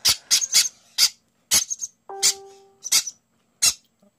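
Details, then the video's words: A hungry baby green-cheeked conure, still covered in down and awaiting its night feeding (fed every 3–4 hours), begs with harsh, high, raspy squawks in rapid bursts, one or two a second, with a brief faint tonal note midway. "This little guy here, and then this one over here that's making all the noise, this little green cheek conure."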